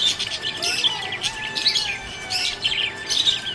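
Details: Budgerigar chirping happily: clusters of rapid high chirps and chattering warble, separated by brief pauses, with a faint thin tone running through.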